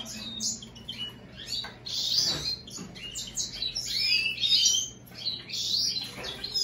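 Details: Hybrid of American goldfinch and European greenfinch in continuous high-pitched song, a run of twittering, buzzy and sharply slurred notes with a few louder bright accents, a low steady hum in the background.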